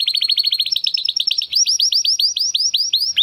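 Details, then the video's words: Male Timbrado Español canary from rated parents, born in 2020, singing a training song meant to help other canaries sing: rapid rising-then-falling chips several per second, shifting into a run of sweeping hooked notes. "Canary 's Training Song"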